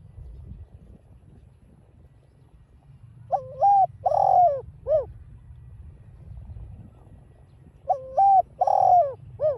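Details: Spotted dove, known locally as cu đất, giving giọng đồng pha cooing meant to provoke caged doves: two identical three-note phrases about four seconds apart, each with a stepped opening, a drawn-out descending coo and a short end note.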